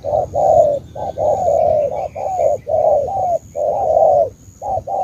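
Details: Spotted dove from Cà Mau, Vietnam, repeating gentle hollow coo phrases of short and longer notes, about one phrase per second, with faint chirps behind.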